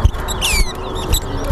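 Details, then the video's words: A chestnut-bellied seed finch (towa towa) sings during a bird race at Bath Settlement, Berbice, Guyana: a brief burst of high, slurred, falling whistles and twitters, over low rumbling background noise and faint voices. "TOWA TOWA BIRD RACE"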